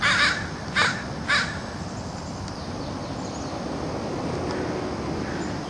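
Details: Three short, grating caws open the recording at roughly half-second intervals, from city crows that gather daily to feed, followed by quiet low-pitched urban ambience.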